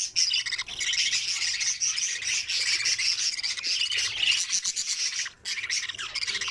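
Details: Young budgerigars in their nest during feeding, producing continuous gritty, rasping chatter with fast scratchy pulses, a short break near the end, then more grating calls.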